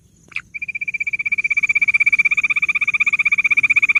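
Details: Bush quail, locally called gundri, giving a long, rapid series of clear, high pulsed notes, about four per second. After a brief opening click, the series steadily grows louder.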